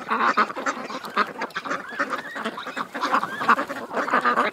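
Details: At a creek, many ducks call at once, a busy tangle of harsh quacks and honks rising and falling in loudness.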